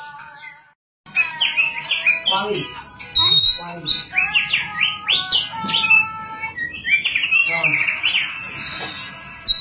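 A thick-billed white-eye sings a fast, continuous warble of high, sweeping chirps and twittering phrases after a brief opening silence.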